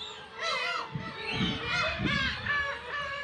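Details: Black-tailed gulls at a breeding colony of about 30,000 birds on Kabushima, Hachinohe, Aomori, Japan, 10 June 2020, chicks present, GoPro HERO8; overlapping nasal, mewing cries rise and fall, with low rumbling noise beneath.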